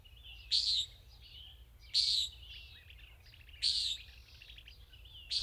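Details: A Common Nighthawk gives harsh, nasal, buzzy peent calls, one every second and a half or so, with faint high chips from other birds in between.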